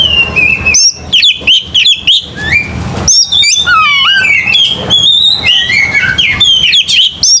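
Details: Aggressive, fighting Oriental magpie-robin song: a dense, varied stream of loud whistles, quick trills and swooping notes, delivered in energetic phrases with short gaps.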